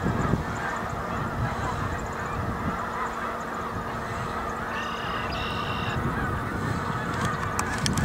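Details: Many snow geese on a pond, dated 3/4/2011, fill the air with a continuous murmur of mingled honking, while a couple of sharper, higher notes break through late on, followed by faint clicks.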